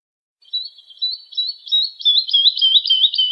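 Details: Lark song intended for teaching young birds: a quickening sequence of short looping warbled notes that grows louder and more rapid, ending in a fast, rolling stream of rising-falling notes.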